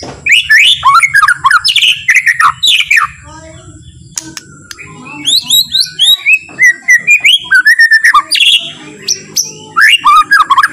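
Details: White-rumped shama singing softly and slowly to provoke other shamas into singing: energetic bursts of looping whistled slurs and chips, short gaps between phrases, steady pace of rapid notes over a low background hum.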